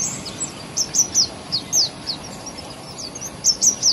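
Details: Thrush nightingale singing in spring, morning: bright high chirps sliding downward, grouped in short bursts of two or three with quiet gaps, over a steady soft background hiss.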